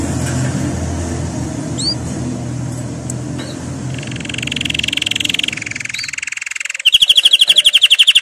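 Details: Canary song for training: faint high chirps and a held bright note over a steady low rumble, ending in a loud, very rapid trill of repeated notes during the last second and a half.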